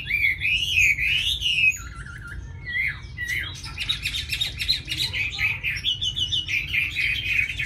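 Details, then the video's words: Tame Chinese hwamei kept in a cage in Hà Nội, praised for its fine voice, opening with long sliding whistles and then breaking into rapid buzzy chattering trills, over a low background hum. "Mi thuần cb98123 giọng rất hay mau mỏ"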